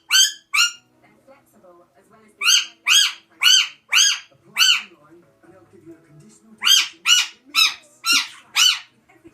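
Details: Alexandrine parakeet, apparently a pet, making a weird noise: harsh, arching squawks, first a pair, then a run of five and later six, delivered about two per second against an otherwise quiet room.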